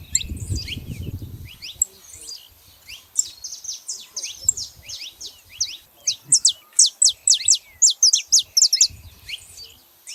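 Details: Saffron finches singing in the wild, a festive gathering of many birds: rapid high chirps and short downslurred notes, denser toward the end, with low rumbling noise at the start.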